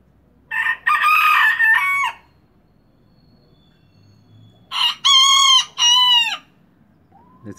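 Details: Young miniature rooster, recently brought home and just starting to crow, marking territory: two crows several seconds apart, each a series of three or four harmonic bursts, the second crow clearer with rising then falling syllables.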